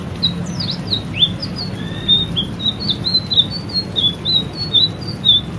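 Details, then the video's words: White-rumped shama in lively, continuous song from a training recording made for caged birds: quick chirped and slurred notes, some rising, strung closely together with a low background hum. "masteran burung murai selendang biru gacor"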